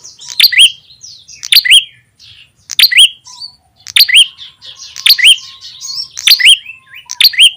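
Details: Lure call of an ashy tailorbird, meant to draw small birds near: bursts of sharp chirps, each with a rising whistle, repeated about once a second, with softer twittering between the bursts.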